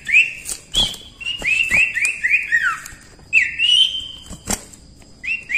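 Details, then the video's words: Cipoh (common iora) singing gacor for masteran: bursts of quick upward-flicking whistles, some stepping down in pitch, separated by short gaps, with loud clicks throughout. "cipoh gacor ampuh untuk masteran"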